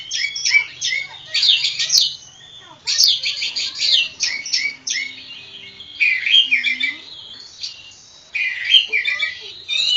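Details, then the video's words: Tame, vigorously singing Javan kacer poci (Oriental magpie-robin) gives loud clusters of sharp, scratchy high notes mixed with clear rising and falling whistles, clusters repeating roughly every two seconds with short pauses. "kacer poci jawa ngobra"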